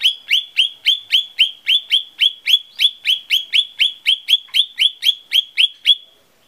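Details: Lesser green leafbird, used as a singing lure, repeats sharp, bright chirps about four times a second for six seconds. Each note slides steeply down, and the series is even and loud.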